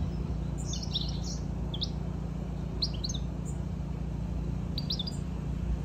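A European goldfinch gives quick, high tinkling twitters and chirps in scattered bursts over a steady low hum.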